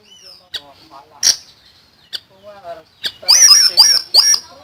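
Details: Common iora singing for songbird tutoring: soft fluttering low notes and clicks, then a loud burst of three shrill, ringing, downslurred notes with bright overtones.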